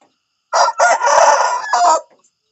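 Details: Very loud, close morning crowing from a rooster: a raspy call of about one and a half seconds in several bursts, the last syllable held and then cut short, with near silence around it.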